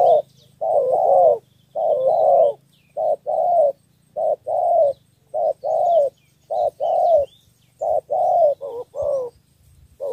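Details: Spotted dove from Cà Mau, Vietnam, giving a three-note cooing style used to lure wild birds. Low, hoarse coos come in paired bursts, a short note then a longer one. The phrases repeat steadily about once a second, on a quiet background.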